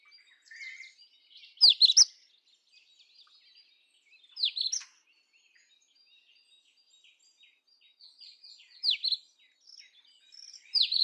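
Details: Indian robin (Copsychus fulicatus) song: short, loud phrases of rising, sweeping whistles come about every three seconds. Faint high twittering fills the pauses between them.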